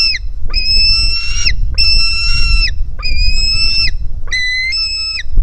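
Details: Hungry White-tailed Eagle chick at a nest in Finland, begging as it jumps toward its parent: four long, harsh, whistled squeals in steady succession, each about a second, with low rumbling background noise throughout.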